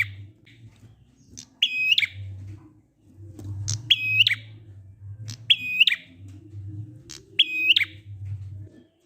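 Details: Ngalun prinia song for luring reluctant prinias to sing: four buzzy phrases spaced nearly two seconds apart, each a high opening note, a level rasping trill and a falling close, over a soft low hum.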